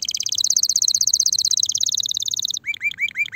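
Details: Spanish Timbrado canary, ready for mating, sings a fast even rattling trill of clicking notes for over two seconds, followed by several short rising whistled notes.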